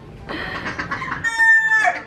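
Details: Roosters crowing loudly at a restaurant during a family holiday; a hoarse, harmonic crow with a strained tonal ending in the second half, overlapping nearby voices.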